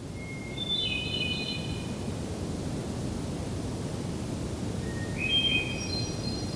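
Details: Hermit thrush singing around sunset on 6 June 2023 in Allegheny National Forest, Pennsylvania: two phrases, each a long clear whistle then quick, airy flute-like notes, the second pitched lower at the start; steady background hiss.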